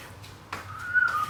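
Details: One of a newly acquired pair of pet Gouldian finches, said to be calling its mate, gives a thin, steady whistled note that wavers slightly and breaks once before trailing off, with quiet room noise behind.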